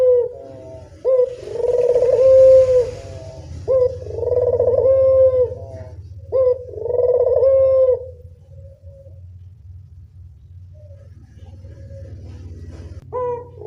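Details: Lure call of a local spotted dove: three long, resonant coos in the first eight seconds, each opening with a short rising note, then quieter, broken cooing over steady low hum.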